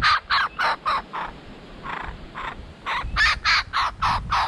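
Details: A juvenile laughing kookaburra perched in a tree in Belair National Park, South Australia, on 18 January 2020, gives rough, chuckling notes about four a second, falters into softer ones, then bursts back louder, practising the laugh.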